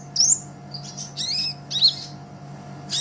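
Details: High, thin sunbird chirps and slurred twitters, spaced irregularly, from a Kolibri Ninja master recording meant to train songbirds; a soft hum persists throughout.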